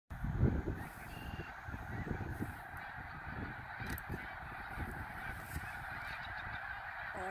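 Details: Snow geese at Middle Creek on 23 February 2019, a large flock giving a dense, continuous chorus of overlapping honks with a constant low roar beneath.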